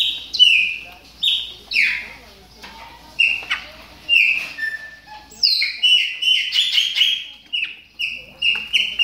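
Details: Chopi blackbirds warming up while in moult, giving loud whistled notes around a steady pitch with sharp downslurred and upslurred phrases, repeated in bursts with short pauses between them.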